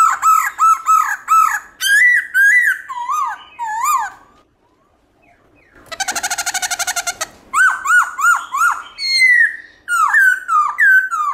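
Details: Morning song of a black-throated laughingthrush in the varied forest-voice style. Rapid looping whistled notes give way to a short pause, then a fast buzzy trill of about a second, then more bright slurred whistles.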